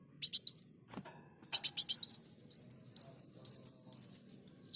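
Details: Olive-backed sunbird singing energetically: a rapid run of thin, high whistled slurs, alternately rising and falling, about two per second, opened by a burst of sharp buzzy chips; quiet background.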